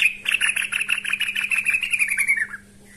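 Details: Yellow-vented bulbul calling out to a rival with one rapid run of harsh, chattering notes that slowly drop in pitch before ending abruptly, against a constant low electrical hum.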